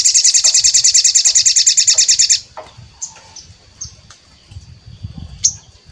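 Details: Crimson sunbird; song; lure to prompt other birds to sing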